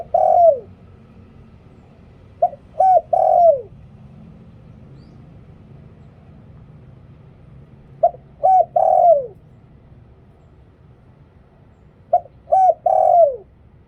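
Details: Decoy spotted dove calling to lure wild doves with หลิ่วตัน-style cooing. Three separated phrases, each a quick short coo followed by two fuller notes with a falling tail, spaced about four to five seconds apart.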